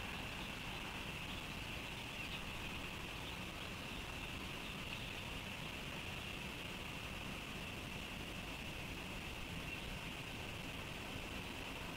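Steady broadband outdoor noise with a constant hiss near the upper midrange and distant traffic rumble, with no animal calls standing out.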